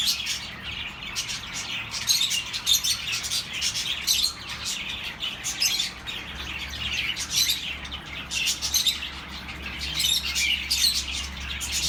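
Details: High, busy chirping from a group of pet birds, intended to keep lonely birds company: steady overlapping tweets and chattering trills, with a faint low hum underneath.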